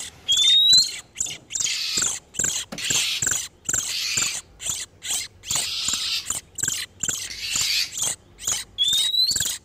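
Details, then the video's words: Breeding-condition oriental magpie-robins, male and female, in a lure recording for trapping wild birds: grating, rasping bursts in steady succession, with clean upward-sliding whistles at the start and end. "SUARA PIKAT BURUNG KACER TERBARU/SUARA KACER BIRAHI"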